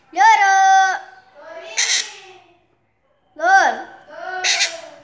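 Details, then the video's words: Pet parrot talking indoors: two bursts of harmonic, voice-like syllables mimicking speech, each a clear nasal note followed by a rougher, hissy phrase, with a short silence between. "Meu loro falando"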